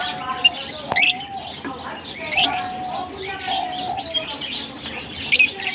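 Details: Lovebirds from Larkana singing: sharp, shrill, rising chirps burst out at intervals over a steady background of many birds chattering and twittering.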